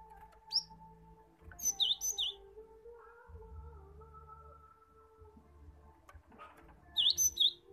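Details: Gelatik batu, the cinereous tit, singing in a lure meant to coax caged birds into song: short clusters of piercing high whistles and dipping notes, repeated after a long pause over a steady background hum.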